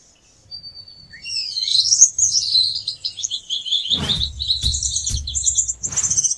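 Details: A Gouldian finch (Chloebia gouldiae), a colourful finch native to Australia, sings a thin, high, hissing song of sibilant whistles and buzzy trills, broken by a few sharp clicks and low thumps near the end.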